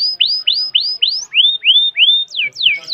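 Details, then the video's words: Caged canary singing with long breath: a series of clear whistled notes, first rising upward sweeps repeated about four times a second, then rising slurs, ending in quick descending whistles. "Burung kenari dengan nafas panjang"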